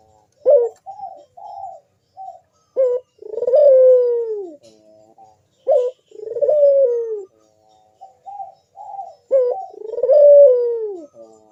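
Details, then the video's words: Collared dove (puter) cooing in the deep, sharp bekur style as a lure: short stabbing notes and soft trills, each phrase closing with a long falling coo, repeated four times across the recording. "Burung puter Rajanya bikin gacor‼️suara Bekur besar super tajam manggung merdu mengundang bunyi"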